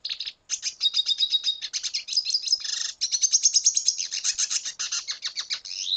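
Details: Red siskin, Venezuela, delivering a dense unbroken song of high chattering twitters, buzzy rattles and thin whistled notes, with one brief break near the third second, clear and close with no background noise.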